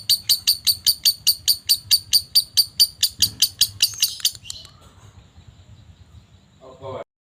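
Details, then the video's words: Lovebird in a digital 'fighter' recording: about four seconds of shrill, sharp chirps repeated evenly, about five per second, then an abrupt stop and near silence. "Lovebird Fighter Digital"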